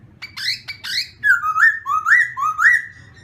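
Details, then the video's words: Morning voice-training song from a black-throated laughingthrush: two sharp upswept notes, then a flowing sequence of mellow whistles that rise and fall over two seconds, over a faint hum. "Khướu mun hót luyện giọng . Khướu hót sáng luyện giọng kích bổi"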